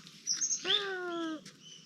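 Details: A great barbet gives one drawn-out, mewing note that falls slightly in pitch over most of a second, described as another of its several calls; faint high chirps from other birds come before it.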